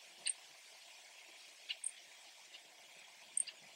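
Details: A blackbird, possibly a Brewer's blackbird, gives a few brief, sharp chack notes with thin high ticks, spaced irregularly one to two seconds apart over a faint steady hiss.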